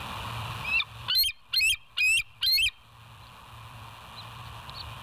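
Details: Bald eagle at the West End nest on a live nature cam, 07/09/2023 at 06:24: five loud, high, squeaky piping notes in quick succession, then quiet, over a steady low electrical hum.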